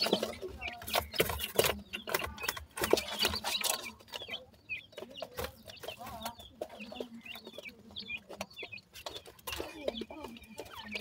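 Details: Baby grey francolins peep in thin, rising notes, loosely spaced at first and then scattered among sharp tapping and rustling sounds, with a faint low hum beneath.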